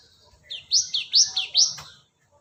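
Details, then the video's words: Cinereous tit lure call: five sharp chirps, each sliding downward, fired in quick succession over about one and a half seconds on a quiet background. "Pancingan Suara pikat Burung gelatik batu"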